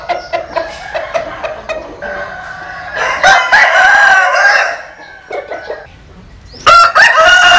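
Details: Roosters, Vietnamese chickens and American Sil chickens, crowing: a run of short clucks, then a loud, long, harsh crow, a pause with softer notes, and another strong crow beginning at the end.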